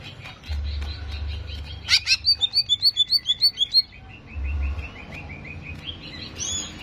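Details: Provoking song of the greater green leafbird (cucak ijo) for raising its aggression: a burst of crisp repeated chips, roughly a dozen in quick succession, followed by a chain of softer whistled notes, with a low droning hum behind.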